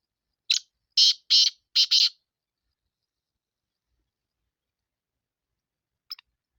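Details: Sindhi black francolin giving a rasping phrase of five scratchy notes over about one and a half seconds. A long quiet gap follows before one faint, brief note near the end.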